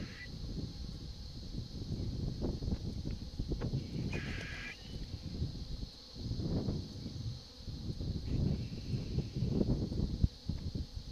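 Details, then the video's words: White-backed vultures squabble over a dead female hippo in the drying Engelhard Dam, Kruger National Park, during the 2016 summer drought, in rough hissing grunts and harsh cackling bursts with one nasal squeal, over a steady high insect drone. "White-backed Vultures squabbling over the dead Hippo"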